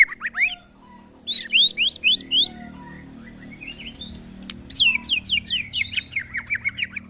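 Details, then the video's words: White-rumped shama, tested for mental strength with nearby birds, sings bursts of steep upswept whistles separated by quiet gaps, over a steady low background hum. "test mental burung murai batu bersama teman teman"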